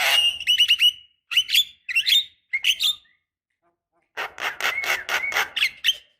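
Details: Lure call of a female black-winged starling calling a male: clusters of bright, rasping two- and three-part chirps, a quiet gap, then a dense stretch of loud grating chatter.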